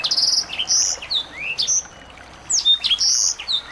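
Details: Small birds played to coax song from a white-rumped shama: sets of bright, high whistled notes and quick rising slurs, broken by short quiet gaps.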